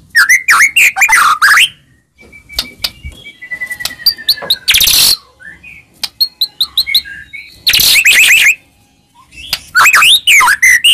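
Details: Lure recording of White-rumped shama song meant to fire up a quiet shama: loud, varied phrases of bending whistles and rattles, a long thin descending whistle, and harsh noisy bursts between pauses.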